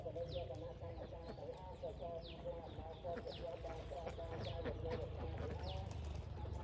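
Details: Domestic ducks calling together: dense, overlapping nasal calls with stacked harmonics, repeated quickly and irregularly over a steady low rumble, with brief higher chirps above.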